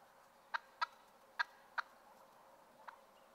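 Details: Two wild turkeys fighting over a female give short, sharp clucking notes, five in about three seconds at an uneven pace, over a steady faint hiss.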